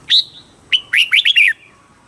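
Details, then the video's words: Red-whiskered bulbul from Thailand in southern master style, song for rousing birds and tutoring chicks: a clear high whistle, then a rapid burst of four bright, slurred notes dipping in pitch. "เสียงนกกรงหัวจุก ร้อง ริก เปิดให้นกฟัง ยั่วให้นกคึกจัด"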